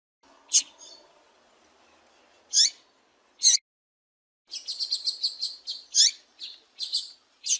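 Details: Female double-collared seedeater calls used to stimulate a male to sing: high, sharp chirps in scattered singles, then a rapid run of bright twittering notes from about the midpoint onward, with a faint low hum early on.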